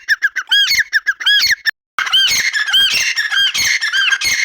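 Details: Grey francolin delivering loud ringing arched notes in quick succession; after a short gap the calling continues denser and harsher, notes overlapping.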